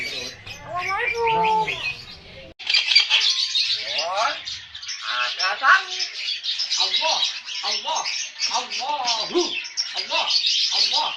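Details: A bird mimicking human voices, opening with a short speech-like phrase before breaking into a dense, busy stream of rapid chirps, squawky chatter and twittering notes that runs for about nine seconds.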